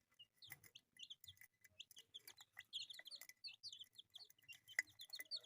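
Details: Several colourful chicks kept as pets calling with bright, high, short peeps, repeated steadily and sometimes doubled, over a faint background with occasional taps and clicks.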